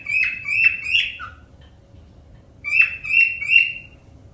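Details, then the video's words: A parrot gives two bursts of three sharp, chirpy whistles near the top of its range, each burst under a second and a half, with a faint low hum beneath. "parrot sound whistling"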